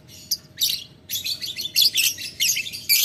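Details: Ngetik ngekek call of a lovebird challenging a rival: a short tick, then grating chatter bursts of half a second or more, separated by short silences, roughly regular; steady faint hum behind.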